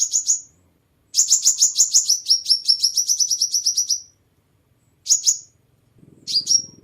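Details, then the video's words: Sunbird song used as a lure to attract birds: thin, high, sharp chipping notes in rapid runs, one long series of about twenty-five slightly falling notes lasting three seconds, then short bursts; faint low rumble near the end. "Tiếng Chim Hút Mật 7 Màu"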